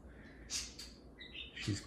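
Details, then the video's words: Pet parakeets chattering while playing together indoors; a quick run of high, scratchy chirps and warbled notes, with a low thump near the end and faint room noise beneath. "Parakeet Pillow Talk: two parakeets converse and play"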